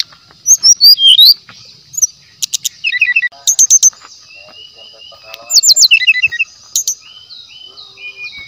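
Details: Wild brown-chested jungle flycatcher song used as lure material: quick whistled slurs, repeated paired chips and short buzzy phrases in loose bursts, with a continuous high-pitched hum behind.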